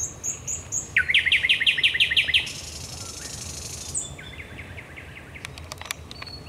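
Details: Night song of a thrush nightingale at the Raszyn Ponds in Poland, 10 May 2021: a fast burst of about ten loud, clicking notes, then a dry buzzy rattle and a softer repeated series.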